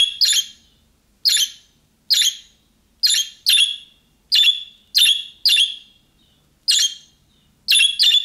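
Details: Budgerigar making calls like those of young birds, which draw answers from other budgerigars; about a dozen short, buzzy chirps in a steady but uneven series over eight seconds, some doubled.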